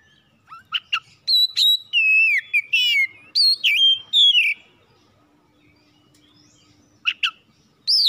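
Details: House-kept oriental magpie-robin, its song offered as a lure for morning, midday or night: scattered sharp notes build into loud, varied whistled phrases with trills, a quiet pause with a faint low hum, then renewed chirps.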